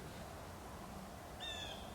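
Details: A Blue Jay gives a single harsh, nasal canking call near the end, scolding a person approaching a frozen shallow waterfowl area in winter in Erie County, against a steady rushing outdoor background.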